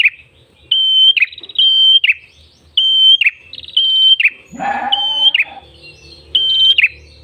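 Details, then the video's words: Red-headed tailorbird (prenjak kepala merah) singing gacor in ngalun voice as a lure: sustained high whistles with buzzy rattles and downward flicks, regular phrases, interrupted midway by a brief broad rustling noise. "MASTERAN PRENJAK KEPALA MERAH GACOR SUARA NGALUN"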